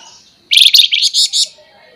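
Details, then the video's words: Flamboyan bird giving a single sharp 'nembak nyerecet' burst: about one second of five or six rapid, harsh, high-pitched buzzy notes in quick succession after a moment of quiet. "FLAMBOYAN GACOR FULL NEMBAK NYERECET MBESET TAJAM"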